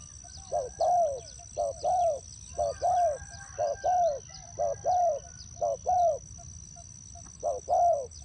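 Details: Spotted dove used to lure birds into a trap, repeating paired coos, a short note and a fuller falling coo, in an even series over about seven seconds, with a faint constant high whine outdoors.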